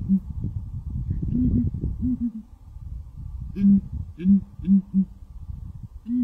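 Southern ground hornbill giving deep, booming hoots, several low notes in quick succession, over a steady low rumble of background noise.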